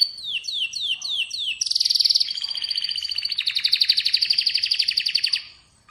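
An Atlantic canary sings a bright high phrase: five quick descending chirps, then a sustained rapid trill and a long rolling buzzy trill.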